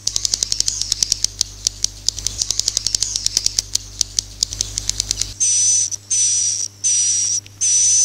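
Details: Swiftlet sounds played to draw swiftlets into a bird house: five seconds of fast, clicking, ticking chirps, followed by four long, hissing, buzzy bursts with a thin whistled line, over a steady low hum.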